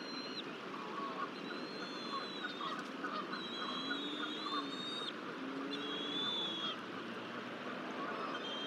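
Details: Bald eagle at a nest in Decorah, Iowa, the father feeding a chick on 24 April 2023; long thin high whistles held about a second each, repeated several times with gaps, over steady background hiss and faint low-pitched calls.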